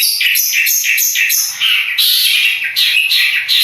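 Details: Long-tailed shrike, Madura type, called king of every contest: a loud, unbroken torrent of shrill, buzzy chattering notes, rapid and dense, hardly pausing throughout.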